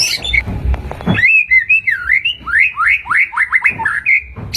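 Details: White-rumped shama lure song for conditioning other birds: soft low noises first, then a string of clear swooping whistles rising and falling, each short, with some background rumble.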